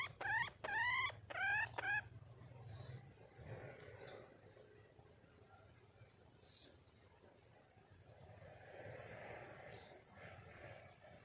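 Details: Wild red junglefowl hen calling for a male: a quick run of about five harmonic, slightly rising notes in the first two seconds, then faint rustling and distant background sounds.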